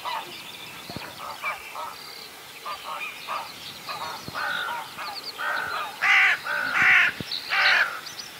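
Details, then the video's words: Whooper swan at Vilkkilänturа, Virolahti, Finland, calling abnormally, apparently with something stuck in its throat, drinking water constantly and barely feeding: short, hoarse nasal trumpeting honks in irregular bursts about once a second, growing louder near the end. "Laulujoutsenen kipeä kurkku"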